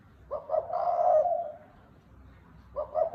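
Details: Spotted dove cooing, 'thúc bổi' style: a two-note stutter, then a long hollow tone, with the next phrase beginning near the end.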